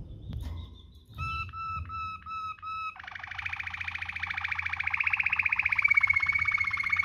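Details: Waterslager-like rolling canary song for tutoring birds. After a faint knock, four flat whistled notes sound, then a long rich roll that swells louder, with a pure whistle emerging near the end.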